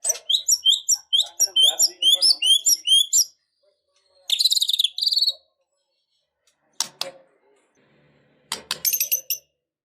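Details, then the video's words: White-rumped shama, said to be fighting and emotional, singing a quick string of short whistled notes, then a harsh buzzy burst after a pause, with scattered clicks near the end. "Murai batu Super Loyo tiba Tiba Serontak Emosi Fighter,Dengan Suara Murai Batu Gacor Full isian Ini"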